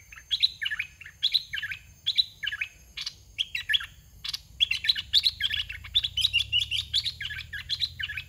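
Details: Caged red-whiskered bulbul of the 'dok taeng' song style, used as a decoy to lure young wild bulbuls: bright, warbling whistled phrases of three to four notes, repeated quickly over and over, with some fainter calls behind.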